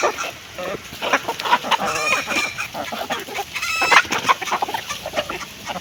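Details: Hens clucking over their food: repeated short clucks with a couple of higher, wavering squawks and steady pecking clicks beneath.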